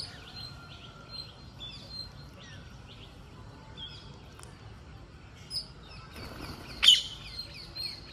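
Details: Green parakeet calling while feeding: short high chirps come throughout, then a loud, harsh screech near the end with a softer squawk before it. Steady low background noise runs underneath.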